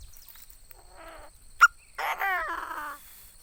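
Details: Captive decoy Chinese francolin calling: a faint harmonic note, a sharp click, then a louder harsh, nasal, downward-sliding call with stacked tones lasting about a second.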